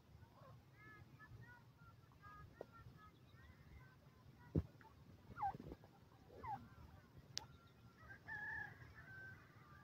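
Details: Young francolin chicks peeping: short, high chirps, some dropping in pitch, scattered through the stretch with a louder burst near the end, over a low background hum and a few sharp clicks.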